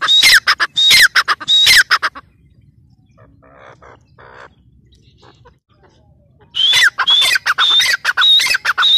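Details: Teetar, the grey francolin, giving repeated harsh calls with a clear whistled element. Three strong bursts open the clip, then near-silence with faint scraps of sound, then the rhythmic series resumes for the last two seconds.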